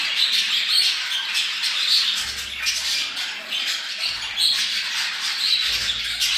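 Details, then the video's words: Budgerigar breeding chatter: continuous scratchy warbling with clear whistled chirps recurring every second or so, and occasional faint low thuds in the background. "Muhabbet kuşu kızıştırma sesi. Muhabbet kuşu çiftleşme sesi"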